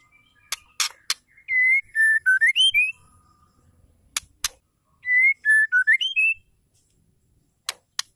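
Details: Female white-rumped shama phrase given to set males singing, heard twice: clear whistled notes stepping down then sweeping up, each phrase bracketed by loud sharp clicks.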